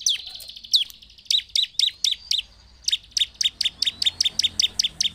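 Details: Bar-winged prinia singing to provoke others opens with a thin, drawn-out high whistle. Short series of sharp, ringing chirps follow, then after a gap a steady fast run of crisp notes.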